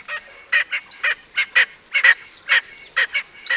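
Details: Erckel's francolin giving loud, harsh, grating cackles in quick bursts of one or two notes, roughly two per second, some paired, with a faint high squeak between notes; quiet background.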